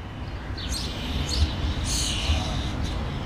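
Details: A young common starling inside a natural tree cavity in Helsinki, Finland, June 2013, gives four or five raspy, hissing calls about half a second apart, over a steady low traffic-like rumble.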